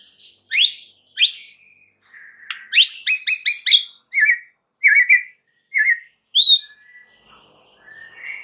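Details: White-rumped shama lure song to make other shamas answer: sharp upslurred notes, then a rapid run of repeated high ringing notes, followed by short chattering phrases and a clear whistle, with pauses between.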